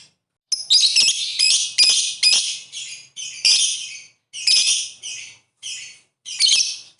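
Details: Lovebird calling to provoke rival birds into singing: harsh, broad, chattering bursts of about half a second each, repeated in quick uneven groups with brief silent gaps.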